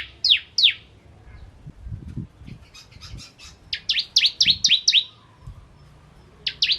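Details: Bar-winged prinia, "ciblek kristal" type, used as a training song for oriental magpie-robins. Two strong downslurred whistles are followed by scattered faint notes and low knocking noises, then a dense cluster of overlapping falling whistles, and one last whistle.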